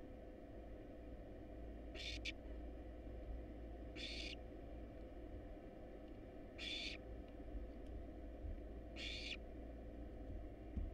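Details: Wild barn owl nestlings in a nest box, hungry while being fed a rat and a rabbit, giving harsh broadband hissing shrieks, four bursts about two seconds apart over a steady low hum.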